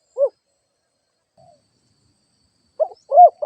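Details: Spotted dove used as a lure bird: a single low hollow coo, a long pause, then two more coos close together, the last more drawn out; otherwise quiet.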